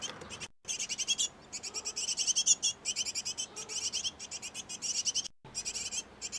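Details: Great tit pair feeding young in a nest box: busy, overlapping bursts of high, thin chirps repeated very quickly, sustained with only brief breaks.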